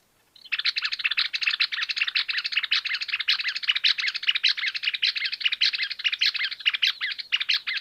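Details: Greater Wagtail-Tyrant, Argentina: a dense, continuous stream of scratchy, chirping notes poured out rapidly and unevenly for over seven seconds without pause.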